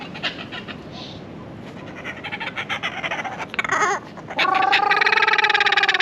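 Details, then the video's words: Kookaburra at Croc World, a trained bird that flew out of its enclosure to a person, giving its laugh: quiet rapid chatter that swells into loud, ringing, rhythmic hoots, with human voices in the background. "Kookaburra LAUGHING!"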